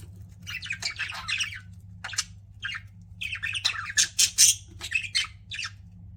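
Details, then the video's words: Pet budgies chirping loudly in quick, irregular bursts of harsh squawks and scratchy tweets, several per second at the peak, with a constant low hum underneath. "CUTE PET BUDGIES CHIRPING"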